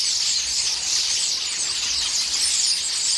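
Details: A flock of starlings bickers noisily while eating pears in a tree; a short stretch of overlapping shrill whistles and squeaks forming a busy wall of sound.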